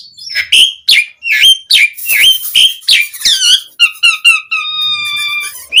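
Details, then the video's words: Asian pied starling song with full filler phrases, a lure for making other starlings reply. It begins with repeated dipping whistled chirps about once a second and ends in a long, steady, multi-toned whistle. "Suara Jalak Suren Gacor Ocehan Ampuh Buat Pancingan Burung Jalak Agar Langsung Nyaut cpt Full Isian"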